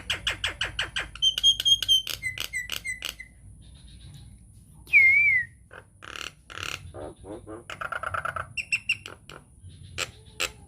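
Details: Lure song of a Nias hill myna used to spur other mynas into singing: a rapid train of clicks, a pure level whistle, scattered chirps, one loud wavering whistle, then harsher bursts and dense chattering notes.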